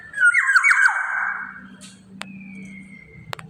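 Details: Black-naped oriole singing actively: a rich, slurred whistled phrase that drops in pitch with buzzy overtones, then a thin, steady, high whistle held for about a second over a low indoor hum.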